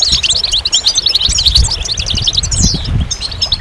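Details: Goldfinches singing: dense, rapid twittering of high, tinkling notes and short buzzy trills in a continuous jumble, with a low rumble of background noise underneath.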